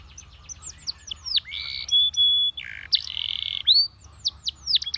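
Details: Canary of the Russian singing kind, singing to attract other canaries: scattered quick chirps, sustained flat whistles and buzzy held notes, broken by short silences.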